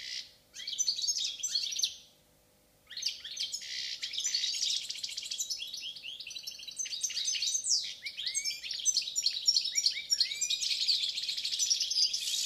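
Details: Song of a Balkan goldfinch, subspecies balcanica: a long, fast and liquid twittering stream of high chirps, trills and nasal buzzes, broken only by a brief pause near the start.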